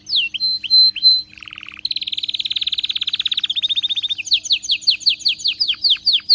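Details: Fired-up canary singing excitedly: high whistled notes and slurs, a short low buzzing burst, a long even rolling trill of many rapid notes, then a series of loud, sweeping down-slurred whistles.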